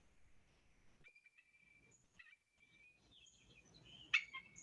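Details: An eagle's call, cackling much like a seagull: thin, high piping notes, first drawn out and then breaking into quick, chattering chirps, over a faint background hiss.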